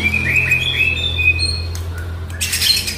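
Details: Murai batu, the Oriental magpie-robin, singing to coax a quiet bird into song: clear sustained whistles and short slurred notes over a steady low hum, with a harsh burst near the end.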